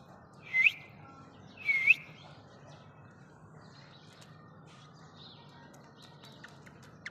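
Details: A female rose-ringed parakeet (ringneck) gives a meeting call in a male-like style: two loud, harsh upward-sweeping screeches about a second apart, then only faint chirps and a low background hum.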